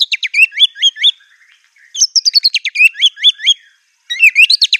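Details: White-rumped shama singing furiously, its song loaded with mimicked canary, cililin, cungkok and lovebird phrases: bursts of sharp, rapid, high chirps and short whistled notes in three fast volleys separated by brief pauses, clean with no background noise.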